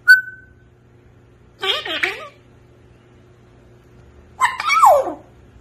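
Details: African grey parrot gives a short pure whistle, then after a pause a rapid speech-like phrase. A final burst ends in a falling squeaky note.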